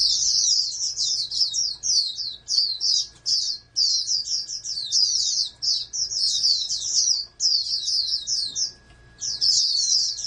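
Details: Oriental white-eye, a bred bird raised as a future national contest champion, singing a long high-pitched twittering song of rapid chirped phrases in bursts with brief pauses; a faint steady hum underneath.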